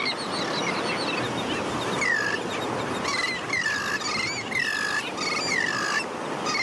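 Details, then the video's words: Royal tern juveniles in a mixed colony with sandwich terns on St. Pete Beach, Florida, beg parents for food with thin, downslurred whistles about once a second, over surf or wind hiss and busy colony chatter. "ROYAL TERN JUVENILES BEG FOR FOOD"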